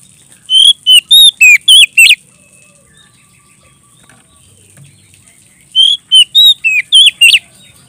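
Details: Oriental magpie-robin singing vigorously in 'ngeplong' style, calling a rival: two bursts of five to six loud, high whistled notes, bending up and down, separated by about three seconds of quiet.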